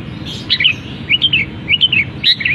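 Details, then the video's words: Caged long-tailed shrike mimicking other birds, repeating a short chattering phrase of slurred whistled notes about every half second to second. "Cendet Gacor Isian Kenari, gereja tarung, kapas tembak"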